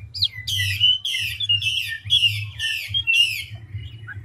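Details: Chinese hwamei, a large wild-caught mature male, fast varied song: six loud harsh buzzy phrases in quick succession, each with a sliding whistled tail, ending in a soft short note; low electrical hum underneath.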